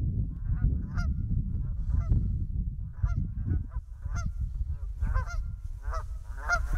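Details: Canada geese recorded in 2015 with an Olympus LS-20m field recorder: many nasal, harmonic honks in quick overlapping bursts from several birds, about two to three per second, over a steady low rumble of wind or traffic.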